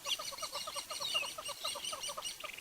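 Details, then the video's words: Hornbills give an alarm call at sunrise in Sabi Sand on 18 May 2016, amid alarmed kudu and a squirrel while a leopard is suspected: rapid clucking about six a second, other birds chattering and whistling above. "We've got hornbills that are giving us the alarm call."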